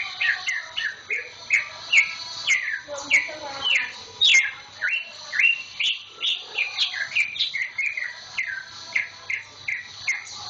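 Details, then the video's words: Newly purchased caged green leafbird, a week in its owner's hands and already singing eagerly, delivers a long, varied stream of quick downslurred whistles and chips, closely spaced, with slight squeaky overtones. "kicau cucak ijo"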